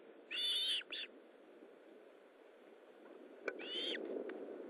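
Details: Osprey calling at the nest while feeding, morning of 19 July 2012: a strong whistled note and a short second one, then a long pause and a fainter repeated note near the end.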